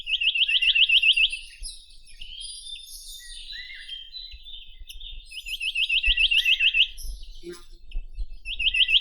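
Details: Chinese nuthatch (Sitta villosa), among the rarest breeding birds of the Ussuri region, repeats a fast rattling trill of upward-flicked notes three times, each burst about a second long, separated by softer twittering and faint knocks.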